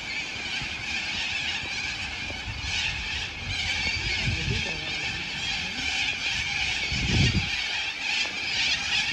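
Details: Many sulphur-crested cockatoos calling together in Melbourne, Australia, phone-recorded on 2 February 2022: harsh grating screams overlap into a constant din, swelling in bursts, with brief human speech and low thumps mixed in.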